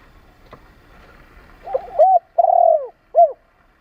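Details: Spotted dove cooing, played to stimulate and train decoy birds: after a quiet, faintly noisy start, a mellow phrase of a short note, a long sliding coo and a clipped final note.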